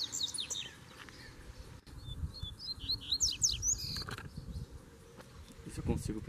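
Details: Double-collared seedeater in Brazil, a cage hung on a grille while a wild bird answers, gives a short run of rapid high slurred notes mid-clip amid rustling, knocks and low background noise.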